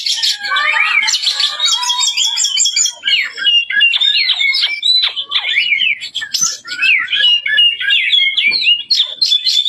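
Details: Oriental magpie-robin singing steadily and loudly, pouring out rapid rising and falling whistles, chattering phrases and buzzy trills almost without a break.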